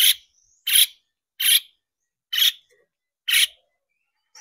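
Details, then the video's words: Long-tailed shrike calls used as a lure to make shrikes sing: loud, rasping broadband notes delivered singly, roughly 80 per minute and somewhat irregular, with silence between. "PANCINGAN CENDET BIAR EMOSI DAN GACOR"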